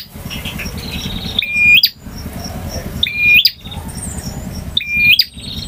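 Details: A male bar-winged prinia sings in full variation styles, ngotot, ngalun and kristal. Three phrases of buzzy high trills each end in a bright whistled flourish, spaced about every one and a half seconds over a low background rumble.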